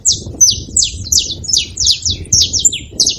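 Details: Saffron finch making noise at a feeding spot: rapid, sharp high chirps with downward sweeps, delivered in quick irregular bursts of about three per second, over a faint low rumble.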